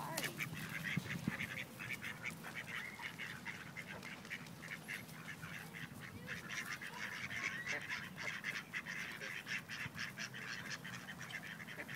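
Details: Several rejected male ducks harassing a female for forced mating, Wilmington, NC; continuous chorus of rapid, buzzy quacks building in intensity toward the second half, over low background noise.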